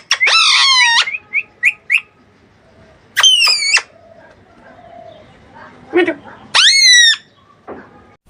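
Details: Alexandrine parakeet, tagged as a baby bird, giving loud, harsh, rasping screeches in bursts of about a second, with short chirps between them.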